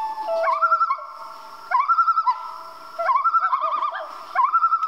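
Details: Common loon at night giving four loud bursts of rapidly quavering, laughing tremolo, each opening with an upward swoop and repeated roughly every second and a half.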